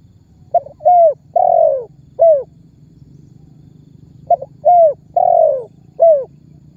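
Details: Tekukur, the spotted dove, giving its calling or menggayo phrase, used as a lure to make other birds sing: two four-note coo phrases about three seconds apart, each a short stutter then falling drawn-out coos, steady low hum behind.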